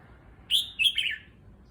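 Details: Red-whiskered bulbul kept in a cage, newly moved and getting used to its new enclosure, utters a single quick phrase: a strong clear whistle followed by two slurred notes dropping in pitch.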